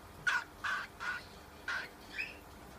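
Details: Young cockatiel with a series of five rasping squawks, evenly spaced about every half second, the last one thinner and higher, against a quiet room background.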